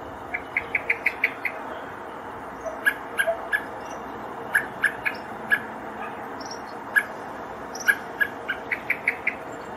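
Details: Male common blackbird searching for its fledgling, Poland, 7 July, giving sharp, clicking alarm chinks, first a quick run of about eight, then scattered single notes; faint high chirps of other birds behind.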